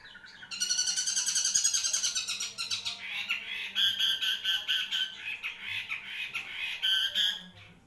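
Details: Caged long-tailed shrike of the Marlboro type singing a long, varied, rapid series of harsh chattering and squeaky notes, bursts repeated several times a second, dense and energetic throughout.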